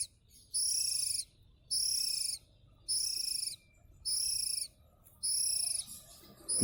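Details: A local Oriental magpie-robin from West Java repeats a long, flat, high whistled note with rich overtones about once per second, five times in a row, with quiet pauses between.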